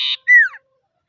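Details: Common iora calling rivals: the tail of a harsh buzzy trill cut off, then a clear whistled note sliding downward, in clean silence.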